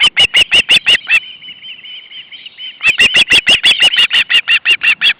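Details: Hungry osprey siblings at the nest, August 2012, when the male delivers fish: loud, piercing whistled yelps repeated about three per second, broken by a thin sustained whine before the urgent series resumes.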